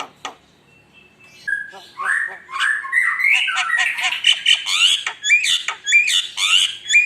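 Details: Javan myna (jalak kebo) song used as a lure, starting after a short click and pause, building from flat whistles into a quickening stream of chattering, buzzy notes and squeaky rising whistles.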